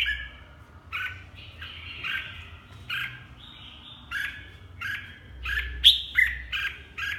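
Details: Red-whiskered bulbul of the Huế type giving a lively song of warbling, whistled notes in quick bursts with short gaps, some sharper squeaky notes near the end, over a faint low hum.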